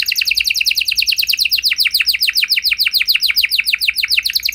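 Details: Canary song used as a lure to make other canaries sing in reply: a rapid, steady run of high, downward-sweeping notes, about three per second-and-a-half, forming a fast rolling trill throughout.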